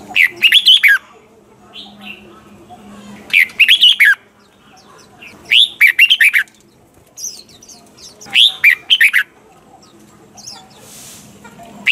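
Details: Red-whiskered bulbul, mature wild-style bird, giving its double-note song for training caged birds: five lively warbled phrases roughly every two to three seconds, each a rapid run of chirpy, slurred notes.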